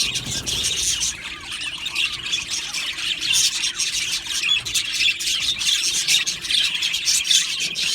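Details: Pet budgies in an aviary chattering nonstop, high twittering and squawky chirps layered from many birds, with a low thump at the start.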